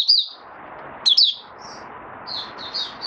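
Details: White-eye (mata puteh) opening its song as it steadies its form: a few short, high chirping phrases with gaps between them over a constant hiss.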